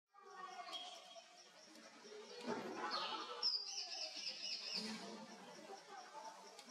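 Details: A male grey-headed social weaver (Pseudonigrita arnaudi), an African savannah bird, gives a dense, busy chatter of squeaky chirps and twitters, about four notes a second, possibly with other birds mixed in.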